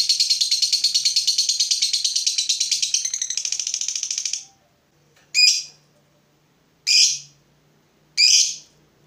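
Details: Provoked fighter lovebird giving a long "ngekek": a rapid, dense, scratchy trill lasting over four seconds, fading out, then followed by three separate loud harsh chirps spaced more than a second apart.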